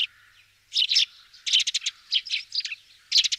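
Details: Eurasian tree sparrow in France: bursts of bright, dry chirps clustered in quick runs, with short pauses between groups and a final rapid cluster at the end; no other sounds.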